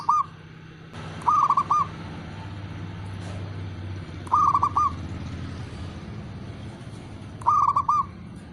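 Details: Male zebra dove, a local Indonesian bird kept to provoke rival doves into answering, giving low cooing calls in short bursts of three or four quick staccato notes, repeated about every three seconds over a soft background hum.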